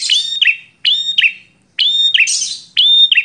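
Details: Bar-winged prinia, said to be a combative, excitable bird, sings four loud raspy, burry chirping phrases about every eight-tenths of a second, each a bright note with scratchy overtones, with nothing else audible.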